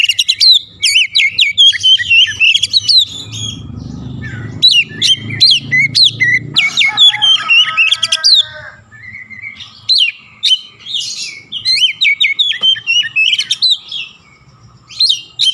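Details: Oriental magpie-robin in full song, laced with Javan myna (jalak kebo) phrases: bursts of sharp whistles and chattering notes with frequent pauses. A low rumbling noise runs underneath partway through, and a harsher, buzzier passage appears midway.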